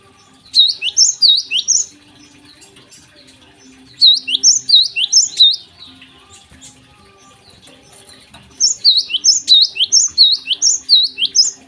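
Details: Morning song of a Java sparrow: three bursts of rapid, clicking, bell-like rising notes, each burst of about six to eight notes lasting over a second, separated by short pauses with faint background chirps.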